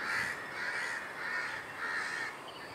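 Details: Grown juvenile Great Cormorants at nests on Kaikondrahalli lake, on 21 April 2021, beg for food from a parent nearby with harsh, rasping squeals, four hoarse bursts roughly every half second, over steady background hiss.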